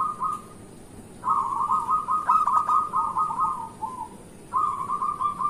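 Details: Zebra dove of a local strain singing as a morning lure: a short trill, a pause, then a long rattling series of bubbly coos lasting nearly three seconds, and another phrase starting after a short gap.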